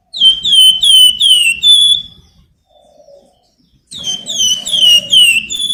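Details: Flamboyan bird singing in an energetic, shrill nyiul style, used as a lure to stimulate other birds: loud whistled notes sliding downward, repeated in rapid bursts, then a pause of over a second before another burst.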